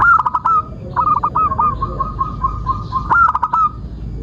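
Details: Singing local zebra dove used as a lure for other doves: a long, continuous chain of quick coos that dips and recovers, ending in several louder hooked notes, over a low rumble.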